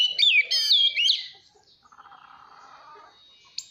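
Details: Oriental magpie-robin singing to train young birds' voices and provoke competitive singing. Loud clear whistled phrases with slurred notes fill the first second, then a faint, lower buzzy warble and near silence.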